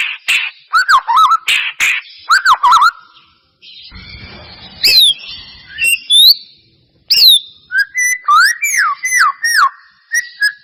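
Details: White-rumped shama song used to spur a reluctant shama into singing: harsh bursts and looping whistles, a quiet stretch, then high sweeping whistles and rapid downslurred notes.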